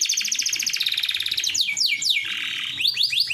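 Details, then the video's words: Male-type gacor canary song meant to attract a female, fast trilled phrases that step down in pitch, then a series of sweeping downslurred whistles. "KENARI AF GACOORR PASS BUAT PANCINGAN KENARI BETINA"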